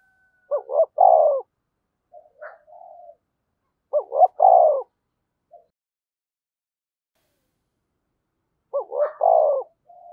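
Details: Spotted dove decoy, 'thổ sấm' voice, calling: three low phrases spaced about four seconds apart. Each is two short notes and a rolling drawn-out coo, with softer brief notes between phrases.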